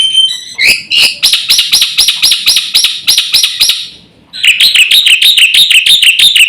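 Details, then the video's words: Black-winged starling master song for provoking birds: ringing, rapidly repeated high whistles with harsh overtones, a short pause, then a faster, even series of bright, chattering squeaks. "suara masteran jalak putih gacor full isian"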